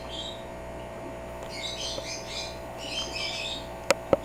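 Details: African grey parrot kept as a pet, copying the sneezing of the people it lives with: soft, airy, noisy bursts in two or three groups, followed by two sharp clicks, with low room hum throughout.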